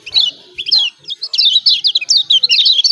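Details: 'Ciak ciak' calls of the yellow white-eye of Lombok, kecial kuning, used to provoke reluctant birds into singing: a dense, rapid chatter of high twittering notes, nearly continuous after a brief pause.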